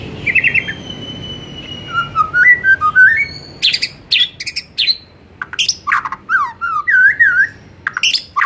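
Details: Lure song of a white-rumped shama, played in the afternoon to prompt captive birds to sing: a thin trill, wavering whistled phrases, harsh high chips, and looping slurred whistles in quick succession.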